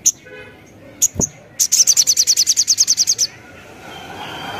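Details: Crimson sunbird song used as a lure to make other birds answer: a few sharp chirps, then a rapid, regular trill of high buzzy notes lasting about one and a half seconds, ending in soft background hiss.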